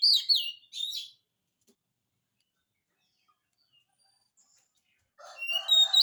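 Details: Oriental magpie-robin singing as a lure for quiet birds: two short whistled bursts, a long silence, then a louder mixed phrase of high whistles and lower buzzy notes.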